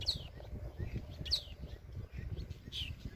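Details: Blackbird chicks in the wild, calling when hungry or seeking warmth from their mother: three short, thin, high chirps sliding downward, spaced about a second apart, over a low rumbling background.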